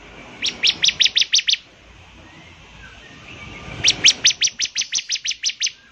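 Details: {'caption': 'Bar-winged prinia in active song whose typical voice sets others singing; two bursts of bright, evenly spaced high chips, the first of about seven, the second longer, with quiet hiss between.'}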